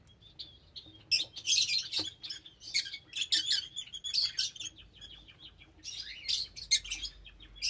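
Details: Shrill lovebird chatter: dense, high, squeaky chirps tumbling over one another almost without pause, loudest in bursts near the start and middle, with a soft low rumble underneath.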